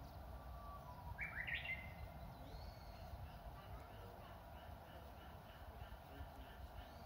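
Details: Japanese bush warbler singing in spring at the grounds of Matsumushi Temple, Inzai, Japan, among old cherry trees in full bloom: a soft drawn-out whistle followed by a quick rising-and-falling flourish, over steady low outdoor rumble.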